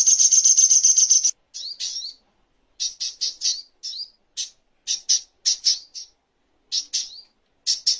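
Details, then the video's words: Spiderhunter (sogok ontong) master recording for tutoring songbirds. The clip opens with a fast, piercing trill, then gives irregular bursts of sharp, rising high notes, often in pairs or threes. "Masteran Songon(Burung Sogok Ontong)isian Terbaik"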